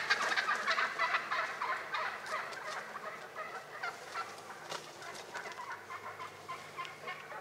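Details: Early-spring wild turkeys in Rhode Island: strong rattling gobble bursts at the start, then quieter, more distant chattering pulses that carry on at a steady rapid pace.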